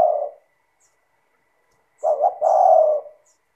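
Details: Lure song of a tekukur, or spotted dove, meant to get other doves singing: the tail of a coo, a long silent gap, then two short hiccuping notes leading into a sustained, smooth, low coo.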